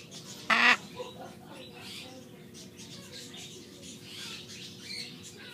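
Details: A captive Catalina macaw in a pet store gives a single loud, harsh, raspy squawk lasting a quarter second, followed by quiet room noise and faint background sounds.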